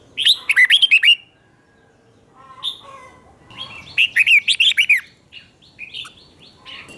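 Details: Red-whiskered bulbul teacher song, doubled style, played so young caged bulbuls copy it: two tight bursts of about eight quick, sweet warbled notes separated by quiet, with scattered softer chirps afterward.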